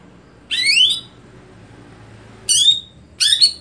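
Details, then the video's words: Greater green leafbird calling with three separate rising, slurred whistled notes spaced about a second apart over a quiet background. "Apakah Stelan Cucak Hijau Bisa Di Patenkan"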